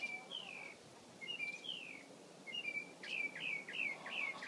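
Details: Mockingbird gives varied slurred whistles, some long and falling, some short, then a quick run of paired rising notes, over soft background noise.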